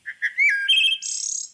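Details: Wood thrush (Hylocichla mustelina) in Kentucky sings one fluted phrase: two short soft notes, a clear liquid warble, then a high shimmering trill. This song is heard in spring, while fall migrants give snappy notes instead.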